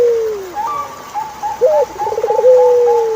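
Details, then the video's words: Turtle dove giving low cooing phrases with a short rising note, a pulsed trill and a long falling coo, while another bird repeats higher whistled notes steadily in the background. "Sound of Turtlefove Collaboration is Chilling"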